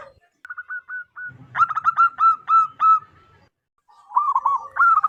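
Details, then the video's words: Zebra dove from the local wild population, calling loudly and clearly for use as a lure: a few soft spaced notes, then strong rhythmic coos over a low rumble, ending in a quick warbled trill. "PERKUTUT LOKAL ALAM GACOR SUARA BESAR DAN LANTANG COCOK BUAT PIKAT BURUNG PERKUTUT"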